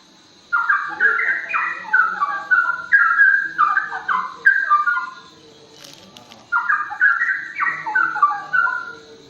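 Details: Straw-headed bulbul singing in the forest, loud rich warbled phrases of liquid notes sliding between low and high pitches, two bursts of song separated by a brief pause with a faint rustle.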